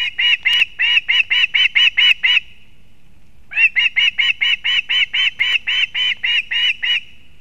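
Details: Osprey at a nest in an old bent pine in Kurzeme, Latvia, 31 August 2024, as the mother brings fish for the chick: two runs of sharp, high whistled chirps, about five per second, with a short pause between.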